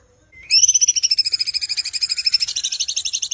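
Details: A cucak cungkok (Kinoy) used for song tutoring opens with one long rising whistle, then a fast, bright, high trill of about ten sharp notes a second, rich and ringing.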